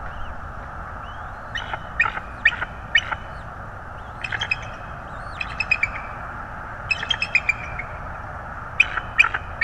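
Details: Bald eagle at a Florida nest with a newly hatched second chick, 25 January 2022; bursts of sharp, staccato high chirps in clusters of three to six notes, separated by pauses, over a steady low hum.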